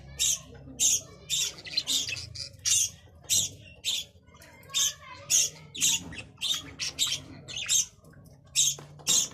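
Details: Budgerigar chirping steadily for several seconds, with crisp, high, scratchy notes repeated close to twice a second in an uneven rhythm.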